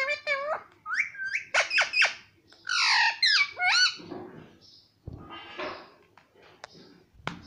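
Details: Talking parrot mimicking Hindi words such as papa, with a run of harmonic, rising and falling squawky syllables in quick bursts, some scratchy noisy calls midway, then short sharp clicks and squeaks indoors.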